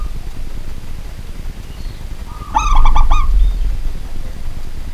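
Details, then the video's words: Zebra dove of local stock, kept as a pet, singing at night: a faint coo, then a brisk stuttering series of rounded cooing notes lasting under a second, over a low hum. "BURUNG PERKUTUT LOKAL GACOR DI MALAM HARI"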